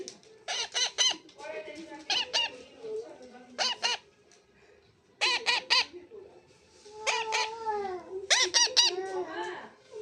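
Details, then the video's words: Young pet parrot giving its 'chi chi' calls: harsh, buzzy squawks with rich overtones, delivered in short bursts of two to four notes, about eight bursts spread unevenly across ten seconds, with quieter gaps between. "My baby 🦜 parrot 🦜 sound chi chi"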